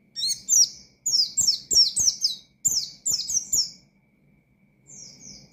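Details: Oriental white-eye singing to provoke opponents and stir untrained birds: two bursts of rapid, piercing downslurred chirps, then near silence and a faint thin whistle at the close.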